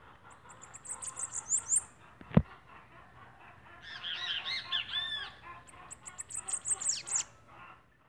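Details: Bananaquit song: bursts of thin, very high, rapid twittering trills at the start and end. Lower, busier warbled notes fill the middle, and a single sharp click cuts through.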